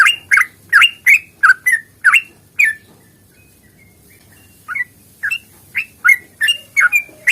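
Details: Yellow-vented bulbul, fighting song with long rapid rolls, used as a lure to get silent birds singing; fast run of sharp slurred chirps about three per second, a pause, then the chirps resume more spaced out.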